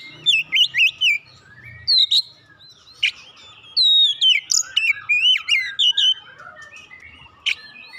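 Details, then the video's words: Oriental magpie-robin, a lazy singer being stimulated into full song, delivers rapid whistled notes and sweeping slurs in clustered bursts, about four per second, with pauses between runs. "merangsang Kacer malas bunyi langsung gacor"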